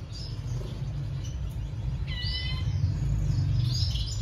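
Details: A breeding society finch gives a clear, drawn-out nasal call with stacked tones just past the midpoint, framed by a few faint high chirps, against a low humming background.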